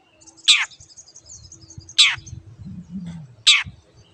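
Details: Long-tailed shrike heard on a training recording for caged shrikes that stopped singing: three strong, harsh, descending rasps spaced about one and a half seconds apart, with soft low murmuring and faint higher chatter between.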